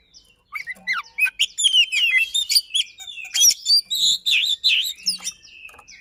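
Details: Kacer (oriental magpie-robin) lure song with rolls and shot-like notes: a short pause, then roughly three phrases a second of varied whistles, sharp chips and mewing slurs.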